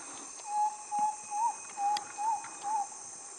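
Spotted antpitta giving a series of six hollow, whistled notes, some with a slight upward lilt, about two per second, over a steady high insect drone.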